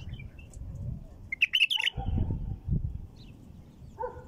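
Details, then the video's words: A female bulbul's short burst of bright, bubbling notes, meant to trigger other bulbuls' singing, with a few softer notes around it and low rumbling noise throughout. "تغريد بلبل أنثى لفتح البلابل القافله"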